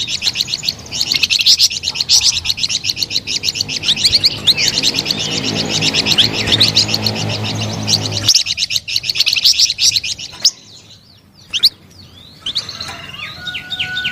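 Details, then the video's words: Flamboyan bird singing a melodious, lively song of dense, rapid high chirps for about eight seconds over a low hum, then quieter scattered notes and sweeping whistles. "SUARA MERDU DAN GACOR BURUNG FLAMBOYAN"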